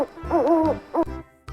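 An owl gives a drawn-out, wavering hoot followed by a brief second note, with faint low background sound.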